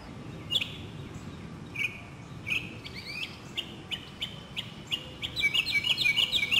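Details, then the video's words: Northern mockingbird singing in a South Carolina city neighborhood in spring 2008: varied high whistled and buzzy phrases, each repeated a few times, speeding into a rapid chattering series at the end, over low background hum. "Voices of Spring: Mockingbirds"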